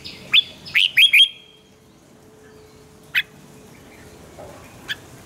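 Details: Red-whiskered bulbul, a decoy bird for song training, utters a short run of four bright, slurred warbling notes, then only two isolated sharp chips in a quieter background.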